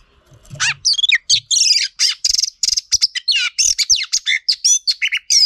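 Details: Female Oriental magpie-robin sound for provoking males: quick run of short, bright whistled notes and buzzy chips, each a fraction of a second, falling and rising in pitch, delivered in a steady rapid stream.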